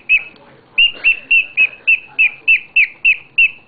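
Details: Pet bird in a happy mood, singing a quick series of short, clear whistled notes, each bending up then down at a high pitch, about three per second, with faint background noise.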